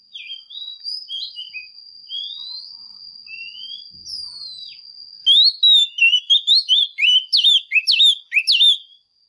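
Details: Female Oriental magpie-robin in strong song meant to excite males. Quiet sliding whistles and short chips lead into a loud, fast run of clear, steeply bending whistled notes in the last four seconds, with a constant high-pitched hum behind.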